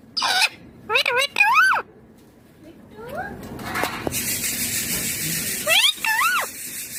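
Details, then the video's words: Green ringneck parrot in a home talking: a few bent, harmonic, voice-like syllables early on, a hissing noisy stretch in the middle, then two more wavy syllables. "My Ringneck Green Parrot Talking Natural Sounds"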